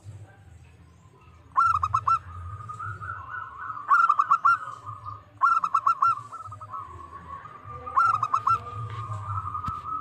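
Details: A local zebra dove gives four bursts of rapid, stuttering coos about two seconds apart, used as a lure call to provoke rival doves into answering; a steadier mid-pitched tone and low hum fill the gaps.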